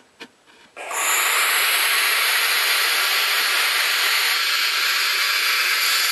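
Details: Three barn owl chicks left alone in the nest while the parent is away give a harsh, steady, breathy hiss that starts abruptly and runs on without a break, like escaping steam, several voices blending.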